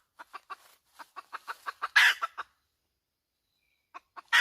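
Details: Hen uttering a rising series of clipped clucks that peaks in a loud, raspy squawk, followed by a long silence and a last squawk starting at the very end.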